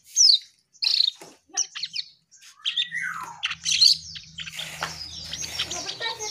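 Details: Asian pied starling in active song: separated bursts of sharp squeaky and grating notes, then a falling whistled slur, giving way to continuous scratchy chatter over a low hum in the second half.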